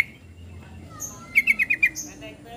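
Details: Yellow-vented bulbul producing a brief quick series of five sharp, evenly spaced chattering notes against a faint low hum.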